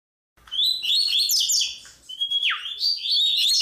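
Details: Chestnut-bellied seed finch (bico de pimenta) singing the Tui Tui song style: fast, bright warbled phrases high in pitch with sweeping slurs, including one long whistle that drops sharply at the end.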